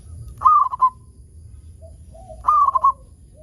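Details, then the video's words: Local Indonesian zebra dove, a frequent singer, used as a lure to get other zebra doves singing: two soft cooing phrases about two seconds apart, each a rising opening note then a quick rolling run of three or four coos, faint lower cooing between, steady high whine. "Perkutut Lokal Gacor AMPUH Untuk Pancingan Semua Burung Perkutut Agar Cepat Bunyi"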